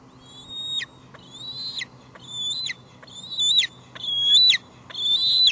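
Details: Adult female bald eagle at the nest at Two Harbors, evening of 24 July 2022, calling out repeatedly while leftover food sits on the nest; six high, thin squealing calls, each with a piping drop at the end, about one per second.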